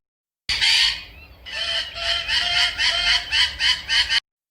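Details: Macaw screaming: a long harsh raucous squawk first, then a run of about eight rough, loud harsh calls in quick succession, strong high-pitched harmonics throughout.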